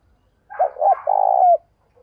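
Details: Spotted dove used as a decoy, calling in the morning to draw in wild birds: a single clear phrase of two quick hoots, then a long, even coo that slurs downward at its close, in quiet surroundings.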